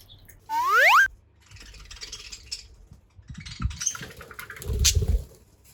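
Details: An 8-month-old pet budgerigar, not yet in breeding condition, gives a loud, rising, squeaky, puppy-like chirp that it makes when having fun or happy, followed by soft chatter.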